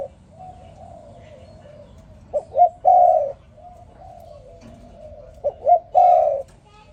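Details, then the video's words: Spotted dove in the morning: quiet murmuring coos, then twice a phrase of two short rising notes and a long emphatic coo, roughly three seconds apart. "Morning dove, Sound Spotted Dove ln The Morning So Beautiful"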